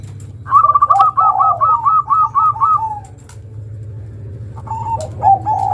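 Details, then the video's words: Local zebra dove (perkutut lokal) giving its long cooing song, meant as a lure for young birds in training; a fast series of about nine rapid bouncing coos, then softer lower coos after a pause, over low steady hum. "Perkutut lokal manggung suara panjang, pancingan untuk perkutut bakalan."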